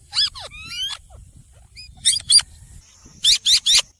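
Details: Rose-ringed parakeet, a green ringneck parrot, giving harsh broadband screeches in short bursts mixed with thin whistled upslurs and downslurs, three quick raspy notes closing the sequence.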